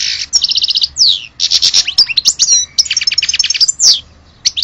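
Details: European goldfinch of Algerian stock pours out a dense, liquid twitter, rolling rattled trills, sharp descending whistles and buzzy bursts, barely pausing through the phrase.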